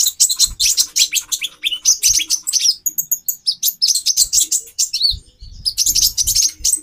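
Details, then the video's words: Rapid, piercing chip series from a female brown-throated sunbird (konin), used to raise a male's mating drive, with a quieter stretch of thin high notes midway before the dense chatter resumes. "Burung Konin Betina 4x terapi birahi. menaikan birahi jantan"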